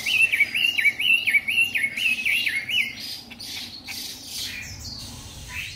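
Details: Young caged white-rumped shama, three months old, recorded in Hanoi shortly after arrival: a string of repeated whistled phrases rising and dropping in step, then scattered softer chirps and rustling.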